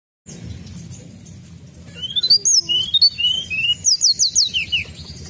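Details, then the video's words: Sunda robin used as a lure sound: low background rumble at first, then a run of clear, high whistled notes from about two seconds on, some rising and some falling, given in quick varied phrases. "Pancingan bunyi tledekan gunung!"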